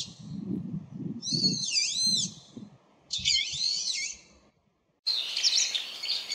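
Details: Brown-eared bulbul calling often: loud, shrill, sharply rising and falling harmonic calls in quick pairs, with a brief cut and a further harsh burst; low rumbling background noise underneath.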